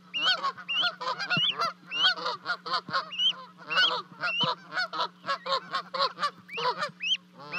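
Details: Two Canada goose goslings jump from a 30-foot osprey nest at Charlo, Montana, 12 May 2020, to reach both parents. Dense, rasping honks pour out almost nonstop, with thin upslurred peeps threaded between them.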